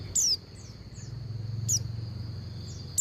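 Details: Female Oriental white-eye calling the male: three sharp, high descending whistles with fainter softer chirps between them, over a steady high hum and low droning background.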